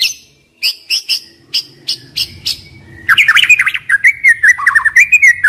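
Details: White-rumped shama song meant to stir young wild birds: several spaced high sharp notes, then a dense burst of rich warbling and rapid downslurred whistles.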